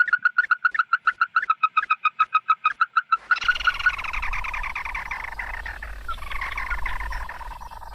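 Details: Red-eyed bird's flock-gathering call, used to lure birds. A rapid, evenly spaced string of loud nasal notes lasts three seconds, then gives way to a harsh, grating chatter over a low rumbling background.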